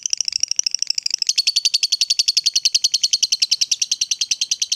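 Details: Lovebird, a fighter-type bird, played to get other lovebirds singing: a steady, rapid chattering trill of high, sharp notes, accelerating slightly and continuing unbroken for nearly five seconds.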